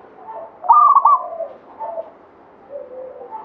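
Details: Local katuranggan Banyumili zebra dove producing a single loud quick cooing phrase followed by faint lower coos.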